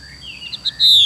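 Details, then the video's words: Female Chinese hwamei giving a xùy call: faint soft notes, then one loud, drawn-out whistle sliding downward near the end, over a steady thin high tone. "Họa mi mái xùy cực đỉnh"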